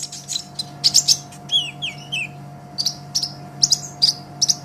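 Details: Vigorous 'gacor' singing of a greenish olive-backed sunbird, used as tutor material for cage songbirds: sharp high chirps, a run of falling whistled slurs midway, then rapid paired ticks every half second, with an electrical hum beneath.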